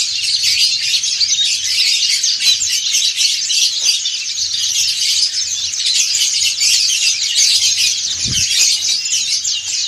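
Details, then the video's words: Numerous white-eyes, dakun and montanus, singing ngriwik together. A steady, crowded stream of sharp, high chirps and twitters continues throughout, with a brief low thump near the end. "PLECI DAKUN NGRIWIK BERJAMAAH"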